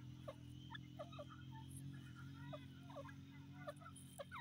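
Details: Francolin calling: short, downward-curving notes repeated at irregular intervals, several overlapping as if from more than one bird, over a steady low hum.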